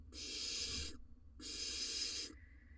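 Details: Breeding-season barn owl nest box in Israel as the male delivers a rodent to the nestling. Two drawn-out, breathy rasping screeches, each close to a second long, are split by a brief pause.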